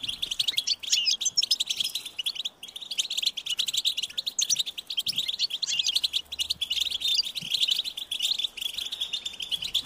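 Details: European goldfinch nestlings call insistently to be fed. Fast, high, buzzy chirping runs almost without pause, rising and falling in loudness in rapid pulses.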